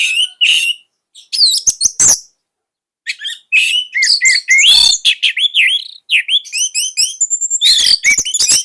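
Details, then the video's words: Vigorous singing of an orange-headed thrush kept as a master bird for young spotted thrushes. Harsh chatters and short pauses give way to a long, rapid string of varied whistles, slurs and high squeaky notes. "KICAUAN SANGAR ANIS MERAH"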